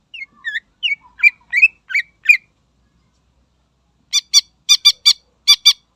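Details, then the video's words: Greater green leafbird song meant to provoke rivals: a string of varied twittering, slurred notes, then after a pause a series of sharp, ringing, evenly spaced metallic notes, some in close pairs. "Suara Burung Cucak Ijo Gacor Istimewa Membakar Emosi Lawan"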